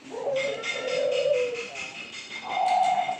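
A zebra dove gives soft, low coos. A longer, smoother note rises slightly toward the end, with faint background hiss throughout.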